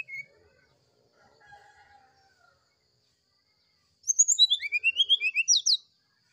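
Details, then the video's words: Quiet faint sounds, then an oriental magpie-robin morning sulingan song bursts in: a rapid cascade of bright whistled notes falling and rising, ending with sharp chips. "Suara sulingan srdc di pagi hari"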